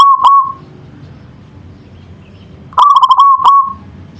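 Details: Zebra dove, a local perkutut, in manggung song: the tail of one rapid, bubbling coo phrase at the start, then a pause, then a full trilled, stuttering coo phrase near the end, against a low hum.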